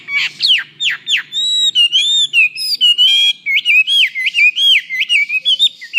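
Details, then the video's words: Chinese hwamei in full song, offered as tutor material for kiacu birds: sharp down-swept whistles give way to sustained ringing notes, then a fast run of short wavering whistles repeated many times. "Suara Burung Wambi Gacor Joss untuk Masteran"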